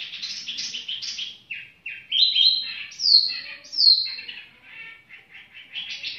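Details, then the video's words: Tiểu mi bird singing at leisure: mixed chirps, bright descending whistles and brief chattering bursts, with short gaps between phrases. "chim tiểu mi chơi lai rai"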